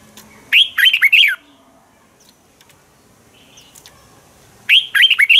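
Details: Red-whiskered bulbul morning song for training birds to fight: two loud phrases of four or five quick, liquid whistled notes, each dipping downward, roughly four seconds apart with faint background chirps.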